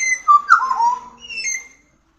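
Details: Pied butcherbird giving a short run of clear, mellow whistles that slide downward, then a softer, higher whistled tail, over about two seconds.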